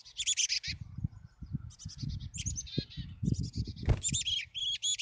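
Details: A wild chickadee family at a nest cavity near Emigrant, Montana, on 14 July 2022, day 36, gives a steady stream of high, thin, buzzy chips and twittering notes over low thumps and rustling.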